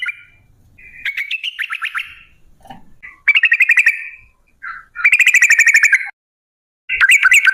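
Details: Sooty-headed bulbul lure recording in the long 'ropel' style; scattered chirps and short buzzy trills, then loud rapid trilled bursts separated by pauses.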